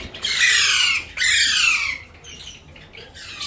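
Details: A talking Alexandrine parakeet gives two loud, harsh squawks, each almost a second long, the second slurring downward, followed by fainter rasping notes.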